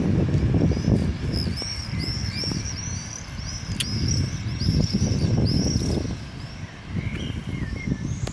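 Common swifts give shrill, buzzy screams in rapid overlapping bursts, several birds calling at once, over a steady low rumble of traffic.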